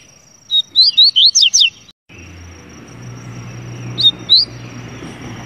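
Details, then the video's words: Double-collared seedeater gives a quick run of six bright, twisting whistled notes. After a short break, a low hum sets in and two more whistled notes sound. "Canto do Papa Capim"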